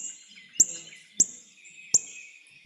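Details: Northern Cardinal contact call: four sharp, metallic tinks, like hitting a penny on a metal pail, about every two-thirds of a second, a short call meaning roughly "you good?", over faint distant birdsong; a Maine spring bird.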